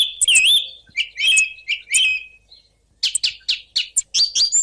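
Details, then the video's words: Song thrush delivering varied song: slurred, rising and falling whistled phrases, a brief pause, then a string of sharp, staccato high notes repeated several times. "دمج صوت السمنة المغردة 13 مع سك صوت سمنة مغردة 14"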